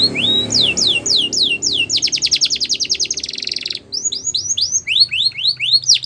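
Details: Border canary song for training young canaries: rising whistled notes, then a fast rapid trill of repeated downward sweeps, then slower descending swept notes, high-pitched and clear.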